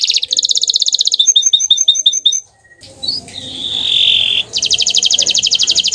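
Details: Bottle-green canary singing sweetly: fast rolling trills of high repeated notes, a stuttering series of chirps, a brief pause, a sustained whistled note, then another rapid rolling trill.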